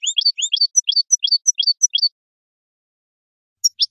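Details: European goldfinch song of the Parva type, for young birds learning to sing: a brisk series of paired rising and falling twittered notes, then a short gap and two closing chirps.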